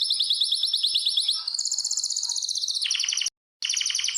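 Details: Canary in a breeding and mating room sings a rapid high trill, shifts to a higher rattling tour, then drops into a lower rolling series, with one brief break.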